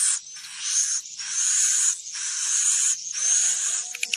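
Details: Swiftlet call used to lure swiftlets to stay in a building; drawn-out hissing, buzzy high bursts of one to two seconds, ending with a few brief clicks.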